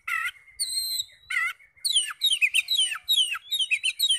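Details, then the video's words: Oriental magpie-robin song serving as a lure to get other magpie-robins to answer in full: a buzzy burst, a long high whistle, then a lively run of rapid downslurred whistles and chips. "PANCINGAN NAIKAN EMOSI KACER 100% IKUT NYAUT NGEPLONG"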